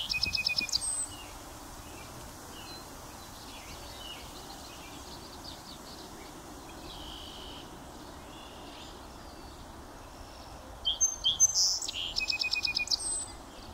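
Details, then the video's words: A North American Song Sparrow sings twice on a windy northern USA prairie: bright introductory notes, then a buzzy, rapid trill, with a long pause between songs, over steady roaring wind. "A North American Song Sparrow sings its song"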